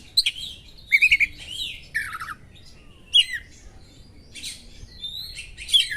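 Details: Oriental magpie-robin singing sharp small-bird-style material to stir up another magpie-robin: scattered high squeaky whistles, a quick trill of sharp notes, a downward slurred phrase, then short bright chirps separated by quiet gaps.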